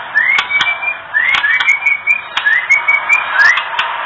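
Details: Female oriental magpie-robin giving its kretekan call, used to bring males into breeding condition: short rising whistles, each followed by a level whistle, repeated roughly once a second among sharp dry ticks and clicks.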